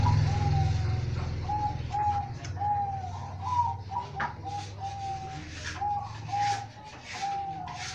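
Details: Caged zebra dove, one of a collection with varied cooing styles, delivering a steady series of short, clear, slightly slurred coos about once a second over a constant low hum and occasional clicks.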